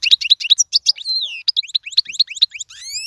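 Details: European goldfinch song, a recording meant for teaching young birds: rapid liquid twitters and rising-falling chirps, a few drawn-out slurred notes, ending in a run of high rising whistles.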